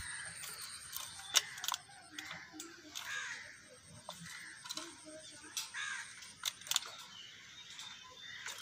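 A hill myna chatters in bursts of mimicked speech-like syllables, mixed with loud clicks and harsh, crow-like squawks, over a steady high hiss.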